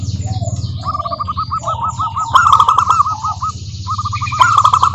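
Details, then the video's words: Local zebra doves singing as a lure to make other doves sing: chains of quick repeated coos rise into loud trilled bursts twice, with faint swooping chirps of other birds above and a constant low hum. "Suara Burung Perkutut Lokal Gacor OBAT MACET BUNYI, pancingan perkutut agar bunyi jamin NYAUT EMOSI"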